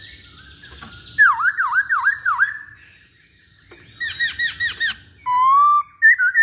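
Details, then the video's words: Poksay Hongkong laughingthrush in lively song: four swooping downslurred whistles in a row, a pause, a burst of bright repeated notes, then a long steady whistle and a short high ending. "Burung Poksay Hongkong Gacor"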